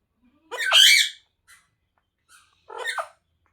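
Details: Pet rose-ringed parakeet indoors uttering two harsh, raspy squawks with a downward-bending tail, the first loud and long, the second shorter, with soft clicks between them.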